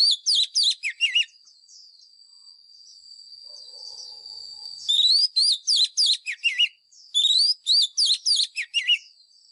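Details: Caged-bird training song of a White-rumped shama, fighting type: a brief burst of rapid, twisting whistles, a quiet stretch of high whine, then two more fast, varied whistled phrases.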